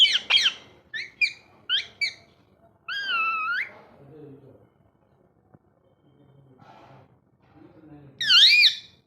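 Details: Pet ringneck parrot having fun: a rapid run of sharp, piercing squawks in quick pairs, a longer wavering shriek, soft low murmurs, then a final loud trilling screech.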